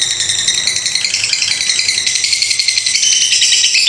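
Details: Lovebird delivering extended 'ngekek konslet panjang' song: nonstop, harsh, high-pitched rattling chatter, fast and buzzy, with the pitch edging upward toward the close.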